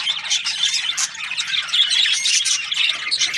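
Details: Budgerigars in breeding pairs calling together in a short stretch of busy chatter, bright whistled chirps rising over scratchy squawks and ticking sounds.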